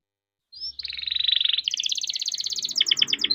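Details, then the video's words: Canary performing a rolling trill song used to encourage silent canaries: a brief whistle, then a smooth buzzy roll leading into a rapid, dense high trill ending in sharp repeated pulses. "burung kenari gacor panjang nembak rapat cocok buat pancingan kenari macet"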